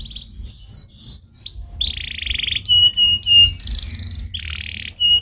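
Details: A canary sings to stimulate other birds, giving repeated falling whistles, a harsh buzzy roll, clipped high notes and a rattling trill, with a soft low rumble behind.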